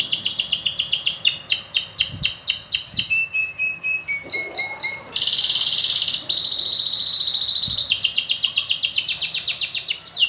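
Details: Canary pouring out loud, unbroken song: fast rolling trills, a stepwise falling series of drawn-out notes, then a long, dense, buzzy warble and rapid chattering tours at high pitch, with a few soft thumps beneath.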